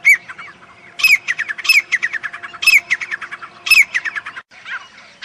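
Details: Grey francolin in the jungle giving repeated harsh, squawking phrases, each a quick run of scratchy notes, coming roughly once a second before trailing off into quiet hiss.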